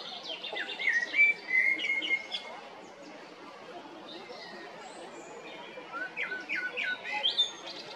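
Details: Blackbird male from Zagreb, Croatia, taped in April or May 2022: a fluty whistled phrase with a drawn-out note, a quiet gap, then a second warbling phrase ending in high chirps, with faint hiss throughout.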